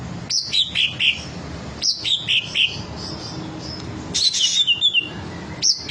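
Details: Green leafbird performing rich song material: repeated short phrases of three or four descending whistled notes, delivered in quick groups with pauses, then a more tangled whistling run, over low background hum.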